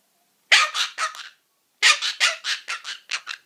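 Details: A pet cockatoo makes funny noises as if talking to its owner. It gives two bursts of harsh, raspy, broadband squawks, three short notes and then a run of about six, loud with nothing else heard.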